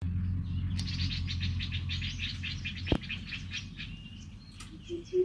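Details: Birds near a small rice-field hut on a sunny, breezy day, heard from tree shade: a fast run of bright, high chirping notes, about four per second, over a steady low rumble of wind.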